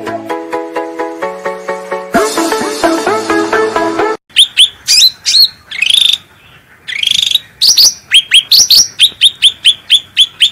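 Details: Ruby-throated bulbul (cucak rante) in a gacor master song for training birds. Plucked instrumental music plays for about four seconds, then the bird gives rapid, loud upslurred whistles and buzzy bursts to the end.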